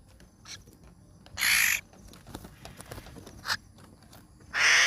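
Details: Hill myna chick calling: two loud, harsh, broadband rasping bursts, each roughly a third of a second long, with fainter clicks and faint noise between them.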